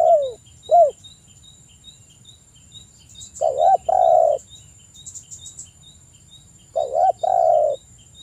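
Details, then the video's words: Spotted dove (tekukur) in energetic song, played as a lure for morning and evening to prompt other doves to sing: deep, mellow cooing phrases, each a short rising note then a longer rolling coo, about every three seconds, over faint high ticking. "TEKUKUR GACOR suara merdu - PANCINGAN TEKUKUR GACOR pagi dan sore hari agar cepat manggung"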